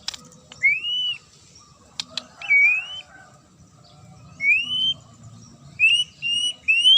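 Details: Magpie-robin sharp song aimed at making other birds respond: separate, drawn-out whistles that curve upward, several in a row toward the end, with sparse clicks between them.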